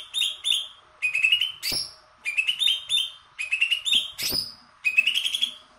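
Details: Loud, piercing song from a Greater green leafbird of the large 'kebo' type, once a contest winner. Short bursts of rich, warbled whistles and chattering trills repeat about every second, broken by sharp clicks and snapping sounds.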